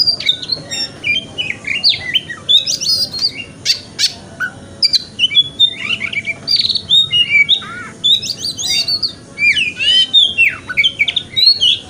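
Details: Oriental magpie-robin in the wikplong song style, played in the morning to prompt a kept bird to open its tail: a loud, varied stream of whistles, sweeping slurs and chattering phrases, with barely a pause.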